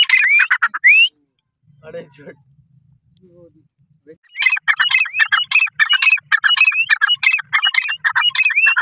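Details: Partridge (teetar) calling: two rising whistled notes and a brief pause with faint low hum and soft sounds, then a long fast series of harsh, ringing squawks with rising slurs woven in.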